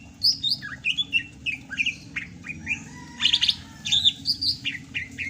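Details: Greater green leafbird from Sumatra singing actively in the rainy season: a busy stream of varied short whistled and chirping notes, slurred up and down, packed closely together, over a steady low hum.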